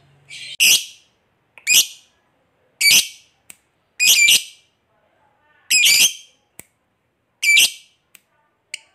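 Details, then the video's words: Loud lovebird squawks meant to call companions and draw replies: seven harsh, grating bursts spaced about once a second, separated by short clicks and quiet gaps. "Suara Lovebird Memanggil Kawan, KOEK NGETIK Lanjut Ngekek Bikin Lovebird Nyaut Bersautan"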